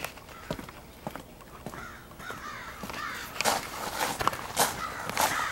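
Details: Crows in a big extended flock, possibly pairing up, 4 April 2015; scattered harsh caws grow louder and denser toward the end, with clicks and rustling nearby.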